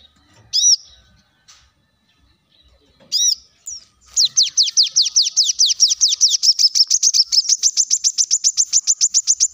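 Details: Kolibri kelapa in full gacor voice on a lure track for leafbirds: two isolated high chirps, then from the fourth second a long, fast, even trill of about thirty-five sharp downslurred notes that stays high and steady.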